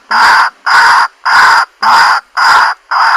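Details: White-breasted waterhen call played through a Bluetooth speaker: six loud, harsh, flat-toned croaks of equal length, evenly spaced about every half second.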